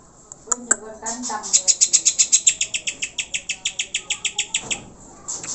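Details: Greater green leafbird song used as a lure to make pet birds sing eagerly and get fired up: a fast, high, ringing series of sharp repeated notes, about four per second, over softer lower warbled phrases near the start.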